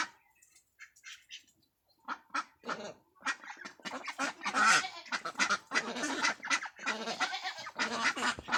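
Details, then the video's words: Farmed ducks in West Bengal, India, quacking: scattered soft calls at first, then a growing flock chorus of harsh, nasal, overlapping quacks in irregular bursts. "Duck Sound"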